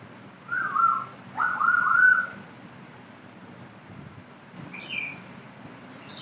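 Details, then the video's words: A 10-month-old pet African grey parrot gives two wavering mid-pitched whistled phrases, then higher, sharper whistles, with quiet background hum between. "talking my grey parrot"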